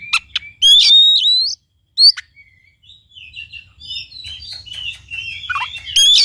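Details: Oriental magpie-robin song for stimulating a quiet bird: quick clicks and a loud looping whistle, a short sharp note, then a long run of soft, varied, jumbled twitters and chirps ending in a bright whistle.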